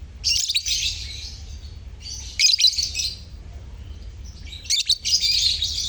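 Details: Lovebirds in a colony chattering loudly as a lure to prompt silent lovebirds to sing; three long bouts of harsh, high, overlapping twittering, separated by short quieter gaps.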